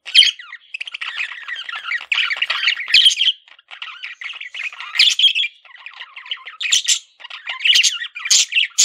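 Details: Male budgerigar kept as a pet, chirping continuously: a busy warble of scratchy chatter, squawky notes and sharp high chirps in quick irregular bursts, with short pauses between phrases.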